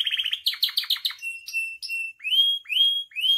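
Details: Canary song used as tutor and provocation recording for captive canaries, full of varied phrases: a fast chattering trill, then buzzy descending notes, then steady whistled tones and repeated rising slurred whistles, clean background.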